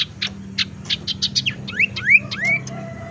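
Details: Tailorbird lure recording to attract birds or coax silent ones into song: varied sharp chips give way to several quick upward-sweeping whistled slurs, with a soft low note near the end.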